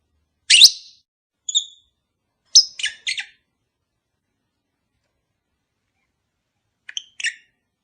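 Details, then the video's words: Lovebirds kept as a pair, sound to encourage mating: a loud harsh chirp, a thin whistled note, a quick triple of raspy chirps, then two faint squeaks after a pause. "Cara ampuh untuk memikat sepasang burung agar cepat kawin"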